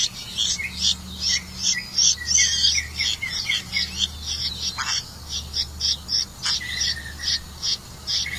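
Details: A red-vented bulbul catching crickets to feed its young gives bright, high chirps in quick bursts, about three a second, with a low steady hum behind.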